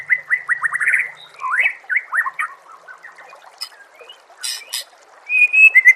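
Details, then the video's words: Masteran recording of White-rumped shama song: a quick run of rising, slurred whistles, then rougher chattering notes and high scratchy bursts, ending in a clear sustained whistle. "MASTERAN SPESIAL TAHUN INI AUDIO JERNIH KOMPILASI MEWAH UNTUK SEMUA JENIS BURUNG MURAI BATU"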